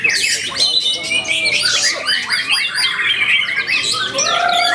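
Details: A white-rumped shama in Bogor, Indonesia, on 10 August 2021, pours out a loud, fast, varied song of rich whistles, harsh squawks and buzzy phrases, with no pause across the whole clip.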